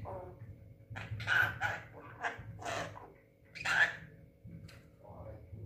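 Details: Six-month-old Javan myna said to talk, giving loud, harsh, speech-like squawks in uneven pairs, with short whistled inflections, over a steady low hum.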